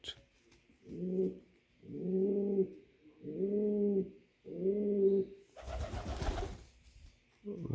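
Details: Male pouter pigeon calling to his female for mating; deep, rolling coos about a second long, repeated roughly every 1.2 seconds, five in all, with a brief loud rustling burst near the end and faint speech in the room.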